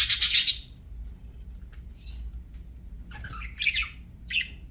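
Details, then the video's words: Budgerigars singing as they play: one loud harsh buzzy burst at the start, then a quiet gap, then a few warbled squeaky chirps toward the end. "BUDGIES SINGING PLAYING"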